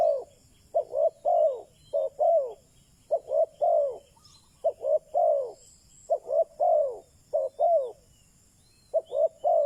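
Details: Decoy spotted dove calling to attract wild doves, delivering a near-continuous run of paired and tripled hollow coos, short then long, with brief pauses between phrases and a faint hiss.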